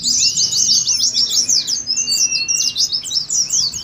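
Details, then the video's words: Oriental white-eyes in fast ngeriwik twittering, used to prompt kept birds to sing and to simulate a song contest: dense, high, rapid chirps running without pause, with a thin level whistle underneath near the end. "TERAPI PLECI NGERIWIK"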